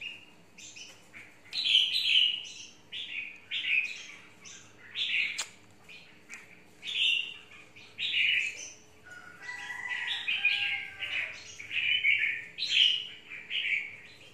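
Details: Worked-up caged red-whiskered bulbul waiting for a rival bird to come near, singing a long series of short, punchy warbled phrases about once a second, with faint extra chirps midway.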